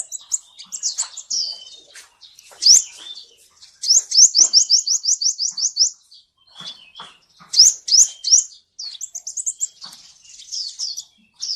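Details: Kolibri Ninja sunbird song played to coax a silent bird into singing: scattered high twitters, then a fast trill of about ten rising notes, followed by sharp upslurs and more jumbled high chips.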